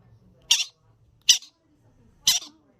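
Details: Baby yellow-sided conures playing indoors: three sharp, scratchy squawks, each with a brief trailing tail, spaced roughly a second apart against near silence.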